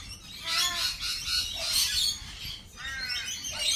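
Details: Lorikeets at a cafe produce grating, nasal squawks with stacked harmonics, one drawn-out screech in the first second, a sharper burst near two seconds and a rising ragged call toward the end, over low background hum.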